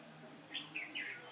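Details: Red-whiskered bulbul decoy bird singing during a trapping session on a windy day, 15 October 2017: three quick bright whistled phrases around mid-high pitch, each slurred and warbling, over quiet rural background.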